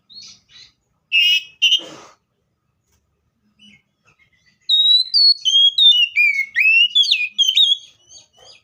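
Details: Seychelles magpie-robin: two harsh buzzy notes open the clip, then silence, then a long lively run of clear whistles that climb and drop in quick succession.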